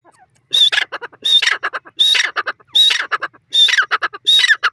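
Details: Francolin (teetar) calling loudly, harsh rasping phrases repeated about every 0.7 seconds, each opening with a short high whistled note followed by several grating, stuttered notes, with no other sounds in the background.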